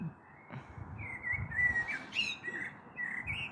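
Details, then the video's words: An evening of 21 April 2022 with a storm perhaps on the way: a common blackbird near a balcony delivers a continuous mellow, rich warble, rising and falling, with brief squeaky notes and a soft background rumble. "Sehr schöne Amsel mit Gesang am Abend"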